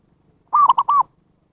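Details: Single phrase from a zebra dove, used to lure wild birds: three rapid, arched coos, a stuttered opening note followed by a longer falling one, no other sounds.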